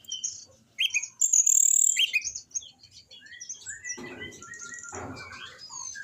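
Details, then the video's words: Orange-headed thrush, known locally as anis binbin, in a training recording played to make reluctant caged birds sing: high, varied whistled and chirping phrases with quick slurred notes, then softer twitters over bursts of rustling noise near the end. "di jamin anis binbin bahan ikut bunyi"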